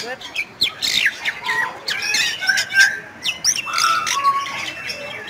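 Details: Bali myna, endemic Indonesian starling of western Bali's forests, singing busily: rapid harsh chatter and downslurred squawks mixed with short clear whistles, phrases tumbling together almost without pause.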